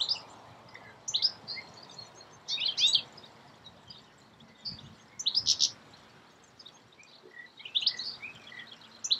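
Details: European goldfinch in Escherange, France, in May, giving bright, tinkling twitters in quick bursts every couple of seconds, high and liquid, over a faint outdoor hush.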